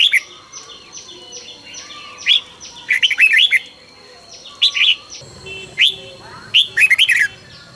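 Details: Red-whiskered bulbul singing hard in the morning, recorded for song training in the heated 'căng lửa' manner: dense, repeated bursts of bright, tumbling warbled phrases with quick rising and falling notes, broken by brief pauses, plus faint other birds chirping behind.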